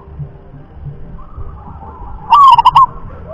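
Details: A single loud trilled coo phrase with stuttering pulses from a local rhythm-class zebra dove, preceded by faint softer cooing and low-frequency background noise.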